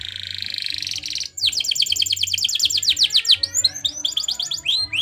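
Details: Canary song for training: a buzzy trill of just over a second, then a rapid run of sharp downslurred notes and some rising notes, with a faint low hum underneath.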